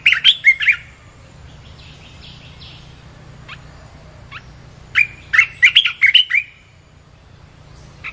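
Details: Red-whiskered bulbul song played to lure wild birds: two bursts of loud, bubbling warbled phrases, short rising and falling notes, separated by quieter chatter and soft background hum.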